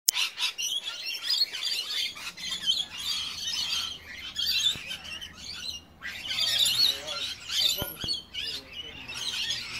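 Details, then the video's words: Rainbow lorikeets feeding on sugar water in a suburb chatter in harsh, shrill, overlapping screeches that run almost without pause, with a few sharp clicks and a faint low hum beneath. "Rainbow Lorikeet calls"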